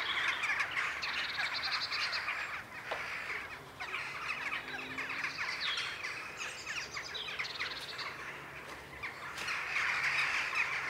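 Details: Evening gathering of jackdaws in the sky above Ringenberg, recorded on a Sony FDR-AX100 camera; a continuous chorus of rough, clipped calls from many birds, swelling and easing, with some higher chirps mixed in.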